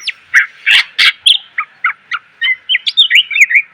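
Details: Greater green leafbird, a tutor recording of a cage bird's song full of varied phrases, used to train other cage birds: a rapid series of short whistled and chattering notes, slurred tones around mid-high pitch, several loud harsh bursts early on.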